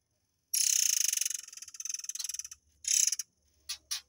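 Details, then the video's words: 'Air mancur' song of the murai air, used for training white-rumped shamas: a two-second harsh, fast pulsed rattle that slows and fades, then a dense buzzy burst and two short clipped notes. "TEMBAKAN BURUNG AIR MANCUR / MURAI AIR"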